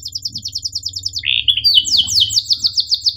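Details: Canary song recorded to help young birds learn to sing: rapid high chips repeated several times a second, a brief buzzy rolled phrase, then loud descending sweeping notes in quick succession.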